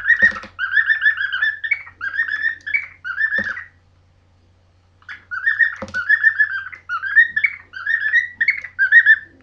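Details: Two pet birds whistling their song indoors, one running around the room while the other follows and bashes its beak on the floor; warbling whistled phrases around the middle range, two bursts separated by a pause, with sharp knocking taps.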